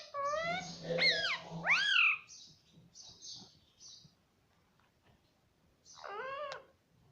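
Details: Ringneck parrot kept as a pet, talking: two or three loud, arched, harmonic syllables in the first two seconds, then soft high notes and quiet, then one more rising call near the end.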